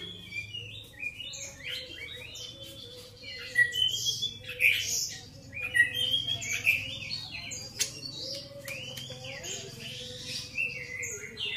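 Grey-cheeked bulbul giving bright chattering whistles and short slurred notes, about one burst a second, over a steady low mechanical hum.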